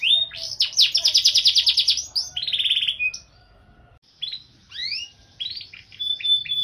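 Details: Canary in full song with ornate phrasing: a fast buzzy rolling trill, a short harsh rattle, a brief pause, then scattered rising whistled slurs and a thin held note.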